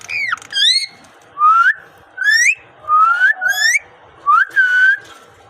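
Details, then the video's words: Parrot described as speaking produces a series of clear rising whistles, each about half a second long, separated by short pauses, in a quiet indoor setting. "Amazing Parrot speaking natural sound"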